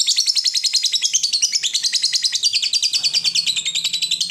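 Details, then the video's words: Caged fighter lovebird in Indonesia giving a long ngekek trill meant to provoke rival birds into singing: a rapid, dense chattering trill of high buzzy notes, about three per second-fraction, steady for over four seconds. "Lovebird Fighter ngetik ngekek panjang - Bikin musuh ikut bunyi"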